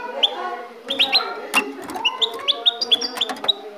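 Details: Ecuadorian goldfinch kept as a pet, singing spaced high chirps that rise sharply, about two to three per second, with a faint low hum behind.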